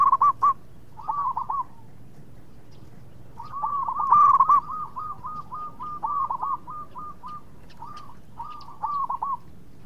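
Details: Actively singing local zebra dove whose song serves as a lure so rivals reply fast; loud clipped coo phrases open, then a long run of quick, rolling, staccato cooing notes with a few brief pauses.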